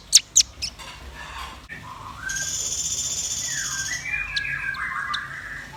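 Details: Actively singing red-billed nuthatch and white-rumped shama. A few sharp chips lead into a long, steady, very high thin tone, overlapped by rich whistled phrases that rise and fall.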